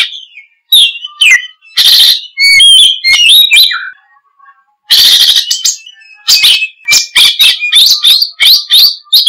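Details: Oriental magpie-robin singing loud, varied ngoceh gacor: dense runs of sharp whistles, harsh scratchy chatter and rapid repeated high notes, with brief pauses between bursts.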